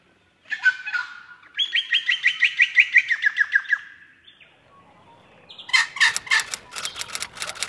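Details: Red wattlebird feeding a juvenile: a run of harsh, raspy, evenly spaced notes, then a quiet gap and a burst of loud, scratchy chattering notes in quick succession.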